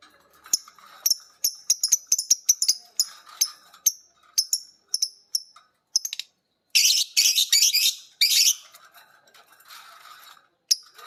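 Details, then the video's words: Pair of pet lovebirds, violet green and pied, picking up ngekek from one another as the master sings: quick flurries of thin high chirps and clicks, then a long rasping chatter burst, ending with one chirp. "Burung Lovebird biola green vs Lovebird PB Piet❗saling belajar ngekek denger masternya bunyi."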